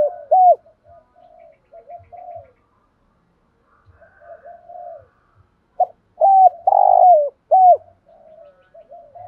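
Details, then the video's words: Spotted dove cooing in the thổ sấm voice style from Vietnam. Quiet low murmuring notes lead into a loud phrase of two short hooked coos, a long rolling coo and a final hooked coo, followed by soft trailing murmurs. "chim cu gáy ra nhiều bài"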